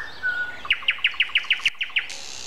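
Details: At 7:55 on the morning of April 29, a common nightingale gives a long soft whistle followed by a rapid, evenly spaced string of loud clicking notes, roughly eight in a row.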